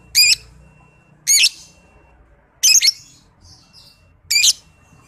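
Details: Master song of a young 'paud balibu' lovebird for training other lovebirds: four loud, ringing, squeaky bursts, each with rising and falling inflections, spaced about 1.3 seconds apart, over quiet background hum.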